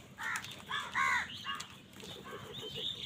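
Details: Crows squabbling over food, giving a quick string of four harsh, nasal caw notes of uneven length, followed by softer low chatter and a faint thin call.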